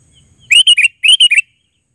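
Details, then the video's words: Sooty-headed bulbul giving two close, loud phrases, each of three liquid, bubbly notes, the last note of each dipping lower, over near silence. "Suara Burung KUTILANG GACOR Panggilan Suara Asli"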